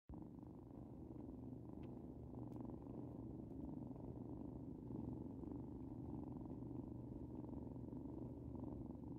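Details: Starling nestlings purring: a steady, low, rough rumble that holds without pause for the whole stretch, dense and unbroken, with only faint scattered clicks above it.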